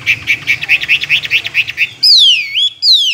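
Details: Chinese hwamei, a tame two-year caged bird kept for song contests, singing a run of about eleven quick chirped notes, then loud clear whistles sweeping down and rising again in long slurred phrases.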